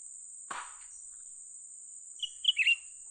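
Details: Young cucak ranting bulbul heard during bird luring: a sharp click early, then a short phrase of bright, high whistled notes rising into a burbling flourish near the end, with a steady high hiss throughout.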